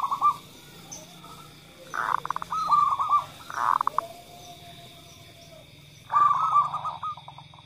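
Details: Local zebra dove female calling, answered by a male's call, played to stimulate other birds to call. Three loud bursts, each trailing into a quick stuttered series of clipped mid-pitched notes, spaced over several seconds, with a steady faint hum behind.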